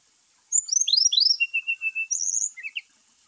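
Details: Brown-chested jungle flycatcher song, used to provoke lazy caged birds into singing: a rapid run of high, sweeping whistled notes, then a steady series of short level whistles and a final cluster of quick chirps, in clean, quiet surroundings.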